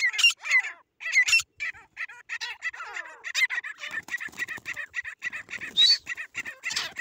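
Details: Grey francolins, a fighting bird called desi titar, calling during a fight: harsh, rapid, scratchy notes repeated several times a second, with louder squealing bursts near the start and again around six seconds.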